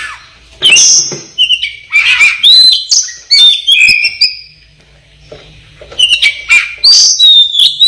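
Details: Black-breasted Oriental magpie-robin from East Java in a masteran recording: high pure whistles and quick chips in bursts, separated by short pauses with faint low hum.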